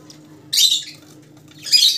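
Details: A Rosella from a set of colour mutations gives two loud, hoarse squawks about a second apart, each harsh and noisy, over a quiet electrical hum.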